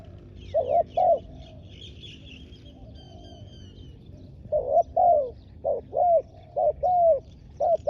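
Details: Spotted dove decoy bird on the ground, calling to lure wild doves: two low coos, a pause, then a run of short coo phrases, each a brief note followed by a longer falling coo, with faint higher chirps from other birds.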